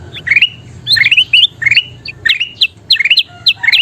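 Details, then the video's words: Kutilang emas bulbul in full song, used as a tutor for training caged birds to sing: short bright whistled phrases that slur upward, repeated in quick bursts about every half second, with a faint low hum beneath. "SUARA KUTILANG EMAS GACOR PALING DICARI"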